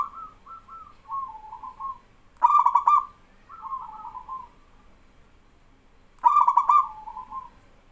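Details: Male zebra dove of local stock singing loudly, with other doves calling in reply. Soft wavering coo phrases precede two loud rapid stuttered bursts nearly four seconds apart.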